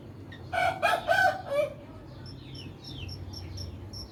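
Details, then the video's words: Morning crow from a rooster, broken into four loud pulsing syllables over about a second, followed by quieter high chirps from small birds and a low background hum. "the sound of roosters crowing in the morning"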